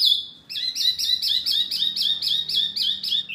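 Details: Masteran recording for caged songbirds like murai, kacer, cucak ijo and jalak: a brief high whistle, then a steady string of rich, rolling chirps delivered about four per second.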